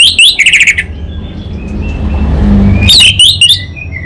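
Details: Caged orange-headed thrush from Singaraja, North Bali, in full gacor song: a fast run of sharp, twittering whistles, a stretch of low rumbling background noise, then another quick burst of high, squeaky notes.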